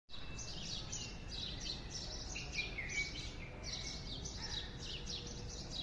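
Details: Morning birdsong: several birds chirping and twittering in high, quick phrases with a few thin whistles, over steady low background hiss.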